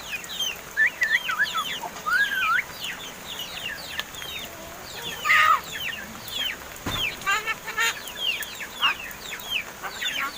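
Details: Seven-month-old pet mynas, kept since young and now said to be starting to speak, chatter in squeaky downslurred notes and short wavering whistles. A few harsher bursts come through, with a faint hum underneath.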